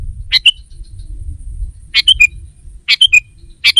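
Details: Lure calling of a sooty-headed bulbul to bring wild rivals near: four quick clusters of bright chirps, each of two to four notes, above a persistent low rumbling background.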